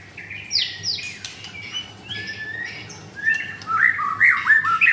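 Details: Caged white-rumped shama at a bird shop in Kemayoran, Jakarta, Indonesia, delivering varied phrases: harsh scratchy notes and short rising whistles at first, building to loud, ringing, looping whistled notes near the end.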